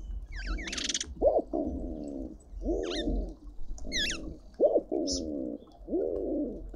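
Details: Speckled pigeon in a suburban garden in Pretoria, South Africa, taking a quick courtship break between feeding: deep, rough cooing phrases repeated with short gaps, while other birds give looping whistled notes above.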